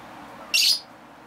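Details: Northern white-faced owl owlet about one month old giving a single short, harsh, hissing screech lasting about a quarter second, over a faint steady background hum.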